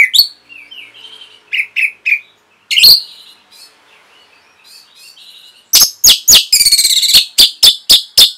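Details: Orange-headed thrush masteran for caged birds. Short whistled and scratchy phrases with pauses give way to a dense stretch of loud, sharp, high notes repeated about four times a second.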